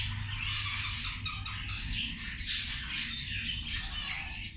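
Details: Busy, wheezy chattering from zebra finches at their meal, with many short beeping calls crowding together and one louder burst in the middle.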